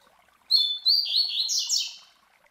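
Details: Double-collared Seedeater master bird giving the classic Tui Tui Zel Zel song for teaching young birds: two bright whistled notes, a trilled warble dropping slightly, then rapid sharp descending slurs.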